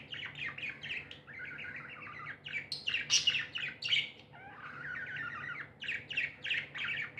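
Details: Pet budgerigars, described as happy, chatter in lively scratchy chirps and warbles, a loud squeaky burst midway, then more rhythmic twittering.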